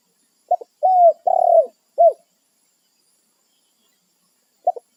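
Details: Spotted dove calling its companions in the wild: one complete phrase of a double note, two long soft coos and a sharp falling end note, followed after a pause by the opening notes of the next phrase.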